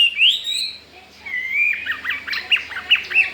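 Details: Newly acquired Chinese hwamei in a cage, already seeking to breed, starts with a rising whistle. Steady whistled notes follow, then a quick series of sharp, squawky chips.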